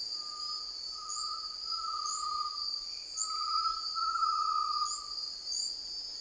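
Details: Great tinamou giving two long, pure whistled notes at a steady mid pitch, each with a slight quaver, over a constant high insect drone and chirping crickets.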